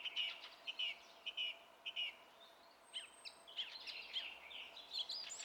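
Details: Song thrush singing on 27 April 2016: a short sharp note repeated four times at steady intervals, then a thin high whistle and a jumble of varied twittering notes.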